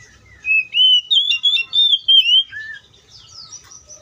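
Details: In the wild, an Oriental magpie-robin gives a burst of about six loud, fluid whistled notes. A softer, quieter warbling tail follows, over a faint low hum.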